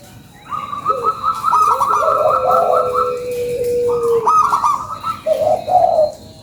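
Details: Local zebra dove delivering a lively lure song: a long rolling high trill over a sustained low coo, followed by a shorter trilled phrase and a final low bubbling note.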